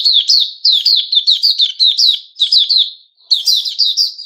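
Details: Captive sooty-headed bulbul, 10 July 2021, delivering loud, rapid phrases of sharp, downslurred chips in quick clusters, with a brief pause before a final burst.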